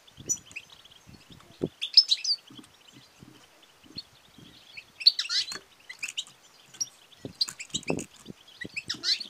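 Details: Female European goldfinch calls, used to stimulate singing and mating in males: irregular bursts of high, sharp twittering chirps, with soft low knocks between them.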